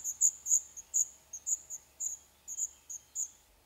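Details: Eleven-day-old black redstart chicks in a nest built in an old stove pipe of a derelict building in Poland: sharp, high-pitched hissy begging bursts about three per second, fading slightly toward the end, otherwise quiet.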